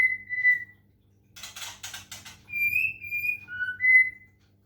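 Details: Caged white-rumped shama from Medan, Indonesia, given water-sound therapy to bring on singing: a clear whistled note, a brief scratchy burst, then a run of pure whistles stepping down and back up in pitch.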